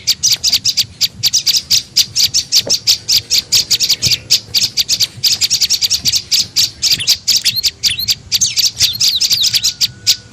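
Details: Olive-backed tailorbird lure call, used to attract birds: rapid, sharp, high chirps repeated several times a second in steady bursts, with brief pauses and a faint low hum beneath.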